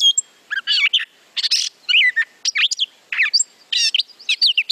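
A Gray Catbird sings a rambling string of short, squeaky and whiny phrases, each one different and rarely repeated, with brief pauses between them.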